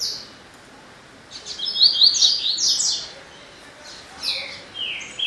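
A Double-collared Seedeater sings bright, high twittering phrases of quick slurred notes, with a pause between bursts and a quiet background.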